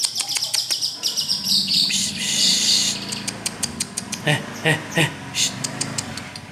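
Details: Long-tailed shrike giving a bright, shimmering high warble for about three seconds, then spaced sharp clicking notes over a low rumbling background hum.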